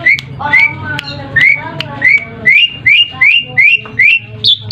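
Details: Asian pied starling song used as a calling lure for other birds: evenly spaced rising whistled notes, roughly two per second, growing slightly higher toward the end, with faint clicks and low background noise.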